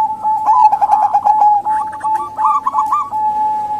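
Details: Cooing of zebra doves, local and Bangkok types, used to lure males that rarely sing or wild doves; a fast bubbling series of short notes riding over a steady hum-like tone.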